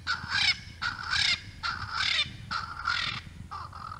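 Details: Swainson's spurfowl, a male showing off his call at Naledi Cat-EYE live cam in South Africa's Africam network, 10 November 2020: harsh, grating crowing phrases repeated about every second, loud and close, over low background rumble.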